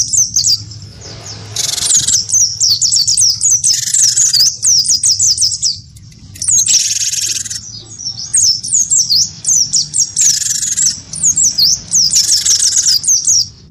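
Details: Cinereous tit, wingko type, in full voice and provoked to sing against a white-eye: bursts of quick, piercing downslurred notes alternate with several harsh, buzzy rattles across the recording.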